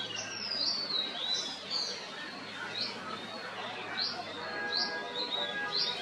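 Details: Brahminy Myna, also called Black-headed Myna, lining its nest with Neem leaves; a run of short, high, downward-sweeping chirps repeated roughly every half second, over a soft background of other bird chatter.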